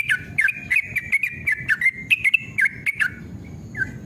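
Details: Yellow-vented bulbul, male, fired-up rapid song used to get caged birds singing. About three seconds of fast, bubbling, up-and-down notes, then a pause and one lone dipping note, over low background rumble.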